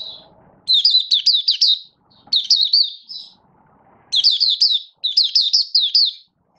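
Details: Malaysian Oriental white-eye, called Mata Puteh, building form, singing buka sing: four lively bursts of quick, high, rising-and-falling twittering notes separated by short pauses, with faint low hum between.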